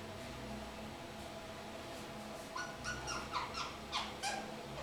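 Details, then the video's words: Young three-month-old pet kakariki sitting in a shower indoors; after a quiet start, a quick series of about seven short, squeaky, harmonic chirps over two seconds, faint against steady room hum. "Funny noise - Kakariki"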